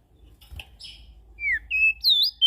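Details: Ashy prinia calls used to lure small birds: a few separate clear whistled notes, one slurring downward, one level, and a bright rising-falling note at the end, over a faint low hum.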